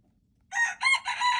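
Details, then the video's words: Brief loud crow of a wild red junglefowl rooster, February 26, 2025, harsh three-part phrase starting after half a second of faint low background and still going at the end. "red jungle fowl, txiv lau qaib qus"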